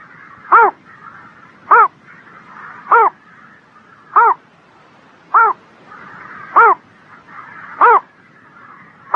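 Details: A bird sings on a spring morning: seven hoarse, nasal, crow-like calls, one about every 1.2 seconds, over a faint, steady background hiss.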